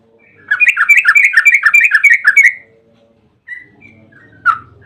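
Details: Yellow-vented bulbul bursting into a fast chattering 'ropel' run, used as a lure for other bulbuls: about two seconds of tightly packed bubbly whistled notes, then near silence with a few isolated chirps.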